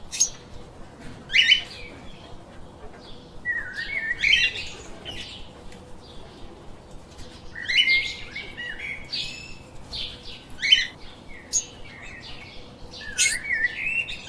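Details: Pet lovebirds giving harsh squeaky chirps in irregular bursts every few seconds, with quieter gaps between the louder clusters.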